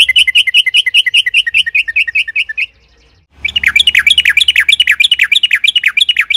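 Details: Sooty-headed bulbul in long rolling song played to spur other birds: fast, even runs of liquid whistled notes, about five per second, broken by a short silence before an even denser burst.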